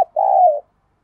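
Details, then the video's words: Lure spotted dove uttering one mellow, hollow coo of about half a second, steady in pitch before dipping slightly, preceded by a brief click and followed by silence. "Chim Cu Gáy Mồi Cây Mới Nhất Chuẩn Kích Bổi"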